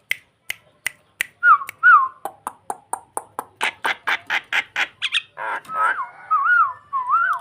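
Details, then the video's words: Starling luring another bird, nodding as it sings: sharp clicks repeated about every half second, two slurred whistles, a fast series of harsh chattering notes, then wavering whistled phrases. "Burung jalak memancing mangguk mangguk"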